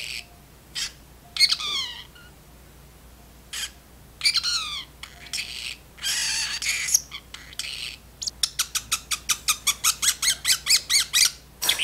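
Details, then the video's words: Talkative pet parrotlet chattering in its cage at home, often before a nap; scattered squawks and descending whistled notes, a burst of noisy babble, then a rapid run of about fifteen sharp clicking chirps. "Milo the Chatterbox (talking parrotlet)"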